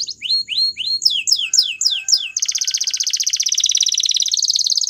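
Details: Belgian canary song: a few downward-sweeping whistled notes, a quicker run of swooping phrases, then a dense, fast, even buzzing trill held for over two seconds.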